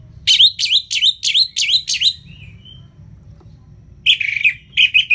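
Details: Orange-headed thrush, or anis merah, singing ngeplong: six strong notes dipping and rising in a regular series, soft whistles, then a harsh warbling burst and quick repeated notes.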